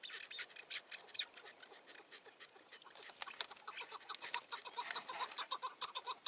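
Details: Chukar partridge during a spring 2019 hunt in snowy mountains, around 11:30, giving a dense, rapid run of harsh clucking chuck notes, several birds overlapping at over two per second, against a faint background hiss.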